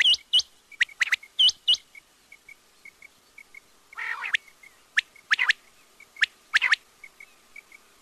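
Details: Quail producing hooked, whistled notes in pairs, interspersed with a string of soft, evenly spaced dotted chirps and one brief harsh, noisy burst midway.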